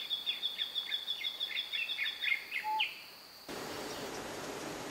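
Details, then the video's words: Yellow-eyed black-flycatcher (Melaenornis ardesiacus) in Nyungwe Forest National Park, Rwanda, March 2013, gives a rapid series of thin, high chips and short descending notes for about three seconds, then a steady background hiss. "Yellow-eyed Black-flycatcher"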